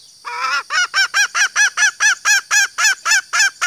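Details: Female green junglefowl calling, used to lure males: after a brief lower note, a fast series of short, arched, harmonically rich nasal notes, about a dozen repeated roughly every quarter second, steady and loud.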